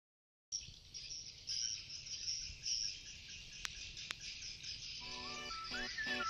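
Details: At 2:30 pm on a sunny, slightly cloudy day, edible-nest swiftlets fly around a swiftlet house, with birds spread over about 40 metres. A dense, continuous chatter of high, buzzy chirps is joined near the end by gliding electronic-sounding tones.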